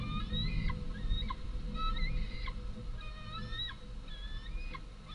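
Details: White-tailed eagle fledglings, two big young returned to their nest, beg loudly when the females arrive with modest prey, 11 August 2014. Thin, drawn-out whistled screams, some sliding upward and others wavering, overlap steadily above a constant low rumble.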